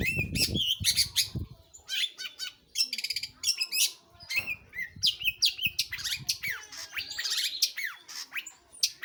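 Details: Long-tailed shrike singing vigorously, a jumbled medley of scratchy chirps, squeaky whistles and rapid chatter, opening with a loud low bump and continuing busily throughout.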